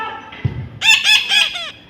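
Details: Young pet parrot screaming: four loud, rasping screeches in rapid sequence, with a person repeatedly asking what happened.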